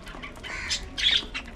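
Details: A budgerigar kept at home gives a few short, harsh, buzzy squawks, the loudest one near the end, in a small indoor space.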